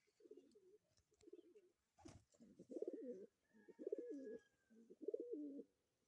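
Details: Pigeon mating call given during mating: low, throaty cooing in rolling rise-and-fall bursts, five phrases in close succession, each about half a second to a second long, with a sharp click near the middle and a faint thin tone behind.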